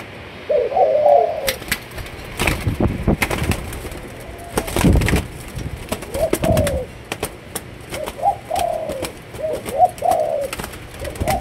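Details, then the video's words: Malaysian-line spotted dove coos in short low phrases, with mellow notes at the start and end. Loud knocking and clattering sounds fill the middle. "Cu Gáy Malaysia Nhiều Dòng"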